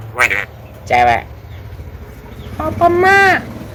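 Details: Talking Javan myna kept at home, known for imitating coughs, laughter and calls to girls, gives a few short voice-like utterances, then a longer rising-falling nasal phrase near the end. Faint music hums underneath.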